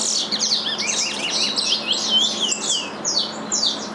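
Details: Curiós bred in captivity, singing the same regional Curitiba song as their father. Rapid high chirps and down-slurred whistles follow each other roughly twice a second in a lively, jumbled phrase.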